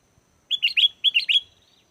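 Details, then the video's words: Chattering sooty-headed bulbul, used to lure wild birds into singing back: two sets of three bright, bubbling whistles, each set ending in a drawn-out tone, clear against a silent background. "SUARA GACOR BURUNG KUTILANG!! KUTILANG LIAR AUTO LANGSUNG NYAUT DAN IKUT GACOR"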